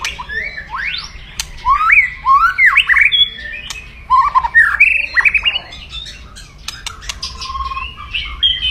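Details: White-rumped shama giving loud, aggressive kretekan crackling song meant to provoke rivals: rapid slurred whistles, rising and falling, mixed with harsh clicks and short chattering bursts, delivered almost without pause.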